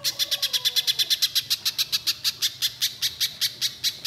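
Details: Spiderhunter singing a long burst, used to prompt young spiderhunters to sing: an unbroken, even stream of quick, sharp, high chips across four seconds, with a faint lower descending whistle near the start.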